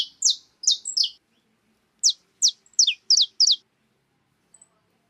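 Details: Wild birds feeding on cracked corn at a feeder utter piercing downward-sweeping chirps. A quick triplet opens, a short pause follows, then a steady series of paired high chirps, with one last note at the end.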